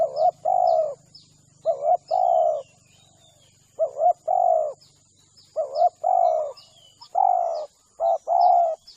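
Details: Spotted dove lure call to attract doves: five phrases of paired short coos and a longer coo, evenly repeated about every one and a half seconds, with small birds chirping and a high insect whine throughout.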